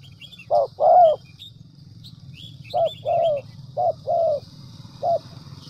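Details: Trapping decoy spotted dove, Central Highlands of Vietnam, utters paired short and longer coos with pauses between groups, set against a persistent low hum and a thin high whine with occasional chirps.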